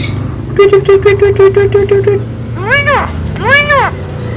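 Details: Chatty Javan myna gives a steady row of short, even mid-pitched notes, then two drawn-out arching calls rising and falling, with a constant low hum in the background.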